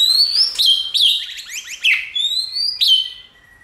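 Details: White-rumped shama singing, used to provoke shamas in training to sing: a series of clear, high, rising whistles, each broken by sharp downward-sweeping notes, ending in a soft lower whistle.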